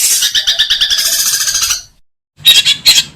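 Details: Long-tailed shrike in a tutor recording of kuntilanak and gereja song styles with full ngekek tembakan phrases: harsh, scratchy chattering notes repeated rapidly for nearly two seconds, a short pause, then two loud rasping bursts.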